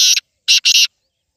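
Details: Home-bred black francolin, known locally as kala teetar, giving a loud, harsh call of rasping syllables: one note, a short pause, then a quick grating double note, with nothing else audible.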